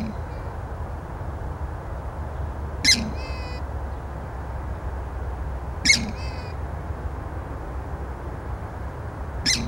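Purple swamphen giving a loud, harsh, nasal screech, repeated roughly every three seconds over a steady low rumble of wind or distant traffic.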